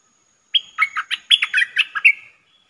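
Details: Lure sound for trapping streak-eared bulbuls: a lively burst of roughly ten rapid, warbling chirps that ends on a longer fading note, with a faint steady hum behind.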